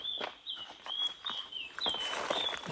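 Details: On a chilly morning forest walk at about 4,300 feet near Vythiri, Wayanad, in the Western Ghats, a Nilgiri Flycatcher gives a thin, high, drawn-out whistle that wavers slightly in pitch, over footsteps crunching through the forest.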